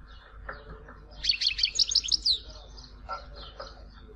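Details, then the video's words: European goldfinch from Tizi Ouzou giving a short, fast run of high tinkling twitters over a background hiss, followed by fainter scattered chirps. "Chant chardonneret tizi ouzou تغريد حسون تيزي وزو"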